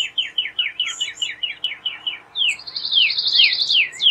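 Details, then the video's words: Northern cardinal song of rapidly repeated downslurred whistles, about ten in quick succession. It shifts into a higher, buzzier run of fast notes. "CARDINAL bird song"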